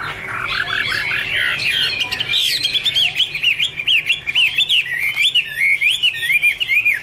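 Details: In this 2017 recording a Chinese hwamei starts with low chattering notes, then settles into a rhythmic sequence of repeated loud slurred whistles.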